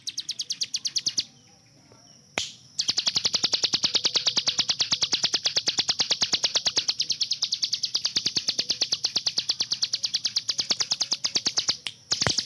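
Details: Captive hill prinia with a gunfire-like 'tembakan' song, kept as a tutor for cage birds. Long rapid chatter of sharp repeated notes, about three per second, interrupted by a brief gap and a couple of clicks.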